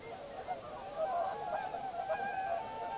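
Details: Common cranes at Heinä-Suvanto nature reserve, Viitasaari, recorded 26 April 2011: a steady chorus of many overlapping trumpeting, honking calls blending into a continuous rolling din, heard from a distance.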